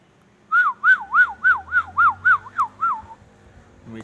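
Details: Indian ringneck parakeet whistling a siren-like wavering tune, about nine rising-and-falling whistled notes in quick, even succession, then a brief pause with a faint, low background hum.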